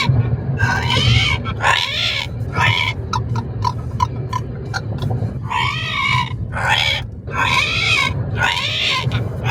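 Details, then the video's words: Parrot in a car giving harsh "rehhh" screeches. A quick series of short clicking notes breaks the run in the middle, all over a low engine hum. "Parrot talking in car = REHHHHHHHHH"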